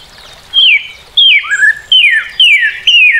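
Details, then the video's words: Loud Northern cardinal song of clear downslurred whistles, each sweeping from high to lower pitch, repeated about every 0.6 seconds in a ringing series of five. "Cardinal:Découvrir le chant et la beauté du Cardinal du Nord"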